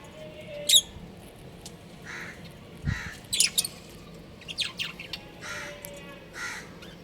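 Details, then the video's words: Pet budgerigars, a breeding pair, calling in short high chirps and a few raspy squawk-like notes spaced irregularly across the stretch against a quiet hum. "Cute Budgies Chirping Sounds"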